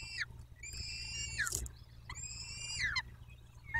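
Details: Peregrine falcons at a nest in Dobra, Poland, on 14-05-21 at 14:18. Two long, harmonic, wailing calls, each about one second, hold a steady pitch and then slide sharply downward at the end, with the start of a third call. Low background hum.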